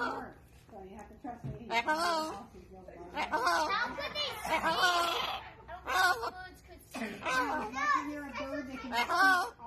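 A Hyacinth Macaw talks in clear, human-like phrases, with bursts of chatter and short pauses, in a small indoor room.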